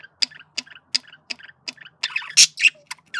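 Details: Male budgerigar flirting: evenly spaced clicking chirps, about three a second, then louder squeaky, whistled notes and a warbling burst at the end.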